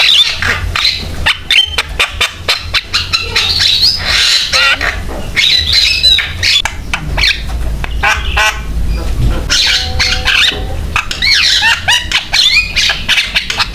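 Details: Javan myna in vigorous song, used as a lure and tutor to get other mynas singing: harsh squawks, clicks and short whistles in dense bursts, with a steady low hum and some background noise underneath.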